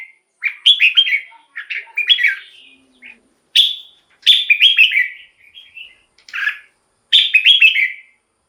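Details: Red-whiskered bulbul singing in a cage, a recording meant to stir other bulbuls or draw in wild birds. Short bubbly phrases of three to five slurred whistles come at irregular intervals, separated by brief pauses and soft notes.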